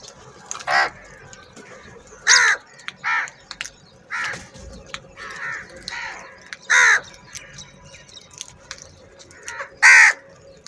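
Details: Many crows fighting over food: a series of harsh caws of varying loudness, roughly every one to three seconds, some overlapping, over a low steady hum.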